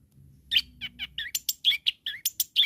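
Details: Long-tailed shrike calling to provoke rivals: a run of short, sharp chirps between two and four kilohertz, roughly five per second, some rising, after a quiet start with faint low hum.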